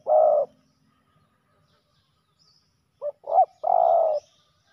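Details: Male spotted dove in a fight at a ground decoy: one loud, hoarse drawn-out coo, a pause, then two short clipped notes and another long burry coo.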